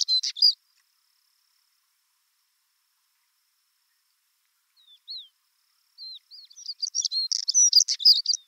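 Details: Male Siberian stonechat, a female nearby, in Siberia: a brief scratchy burst, then a few thin whistled slurs after a pause, building into a fast jumbled twittering phrase of high chirps; the bird was unafraid, flying close.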